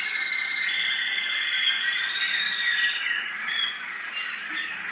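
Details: American singer canary from the UAE, a breeding bird, delivering a loud flowing song of rolled trills and long whistled notes, shifting in pitch and rhythm over several seconds.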